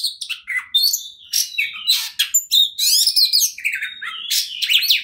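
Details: Caged white-rumped shama in full song intended to trigger rivals, producing rapid, varied phrases of whistles, buzzy trills and harsh notes in clean, noise-free sound.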